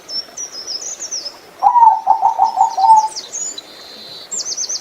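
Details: Zebra dove, a small gray bird prized for its voice, delivers a single rolling phrase of about six bubbling coo notes, while other birds add high, thin chirps and trilled whistles before and after.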